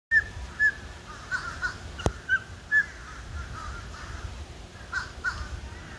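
Golden eagle giving short, thin yelping notes at a fairly high pitch, spaced irregularly, with one sharp click partway through over a soft outdoor hiss.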